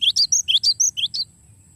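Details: Cinereous tit (glatik batu) in a long rolling song meant for tutoring songbirds: a quick run of about eight sharp, high, upward-flicking chirps alternating between two pitches, then fading, with a faint high whine and low background hum.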